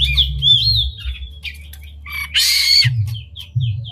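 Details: Oriental magpie-robin singing with its tail spread, used as a lure to excite other magpie-robins into song: a few high sliding whistles, then a loud harsh rasping burst and short chirps over a steady low hum.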